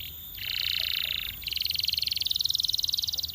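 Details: A male Belgian canary sings high, rolling trills: a steady buzzy tour, then a quicker pulsed roll repeating about three times a second.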